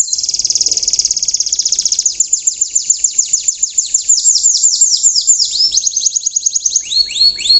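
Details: An Indonesian young canary sings riwikan, a song used as a lure for other canaries to imitate, with long rapid high trills of repeated downslurred notes, about three per second, changing tempo and ending in short rising phrases.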